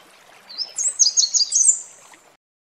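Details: Red warbler singing beside a waterfall: one quick, high, bright warbled phrase of sliding and trilled notes, starting lower and jumping higher, lasting under two seconds, over a faint steady hiss of falling water.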